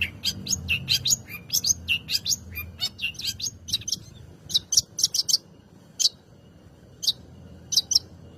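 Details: Long-tailed shrike song used to stimulate other birds to sing: a fast run of high chattering chirps that thins into spaced sharp single notes, over a low background hum.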